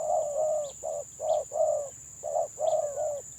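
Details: Village spotted dove in 'gagap' stammering style, a burst of rounded low coos, first ones drawn out, then shorter notes after a pause, a few thin chirps of other birds above and a constant faint hiss.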